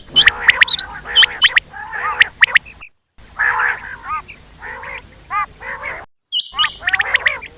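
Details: Quail calling at night give bursts of harsh, chattering and squeaky notes in quick runs, with brief silent breaks between the bursts.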